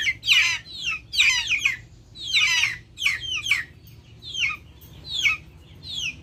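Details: Backyard chickens recorded raw outdoors amid nature sounds, giving high, thin, downward-sliding peeps in irregular bursts roughly once a second, with short quiet gaps between them and a faint low background hum.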